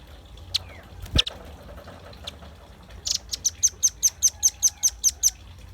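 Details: Velvet-fronted nuthatch singing actively, recorded as a lure and tutoring song. A few scattered clicks come first, then a fast burst of about twelve piercing high chip notes repeated steadily at around two to three per second.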